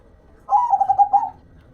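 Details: A single short phrase from a local perkutut or zebra dove, in which a rising opening coo leads into four or five rounded, evenly pulsed notes.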